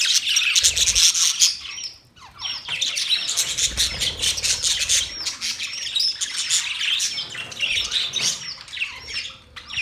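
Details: Many budgerigars keep up noisy, layered chattering with rapid high chirps, scratchy squawks and hooked whistles. The sound drops briefly near two seconds, then the flock chorus resumes.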